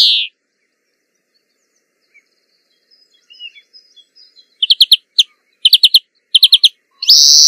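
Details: After a quiet spell with faint distant notes, a European greenfinch delivers several quick bursts of bright chirping trills and begins a buzzy wheeze at the end.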